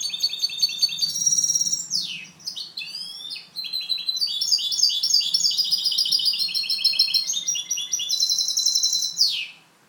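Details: Goldfinch hybrid (mixto) kept for training sings clean song (canto limpio): a loud, continuous, rapid twittering of high metallic notes and trills, broken by two brief downward-sweeping buzzy notes, ending in silence.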